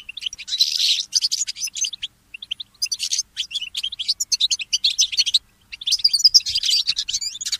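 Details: Early-morning song of a goldfinch hybrid (goldfinch mule): dense, high twittering phrases and buzzy trills, separated by short silences, then resuming in quick chattering runs.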